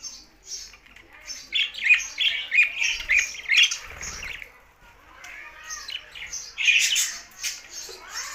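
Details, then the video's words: Several budgerigars sing happily, a busy warbling chatter of quick chirps and squawks that swells and fades in bursts, with one brief lull in the middle. "Budgies Sounds for Lonely Happy singing"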